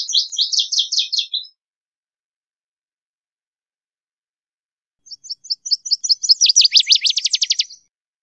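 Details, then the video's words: Northern Waterthrush (Parkesia noveboracensis) singing in nature: a loud, ringing phrase of rapid repeated chips that speeds up and drops into a sweeping downslurred flourish, one song ending at the start and another given after a pause of several seconds. "Birds Singing - Northern Waterthrush"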